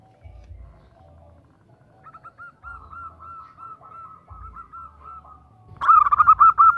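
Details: Calling female zebra dove (perkutut) seeking a male: a long soft series of rapid short notes at a steady pitch, ending in a sudden louder, harsher cluster of quick notes; low background hum throughout.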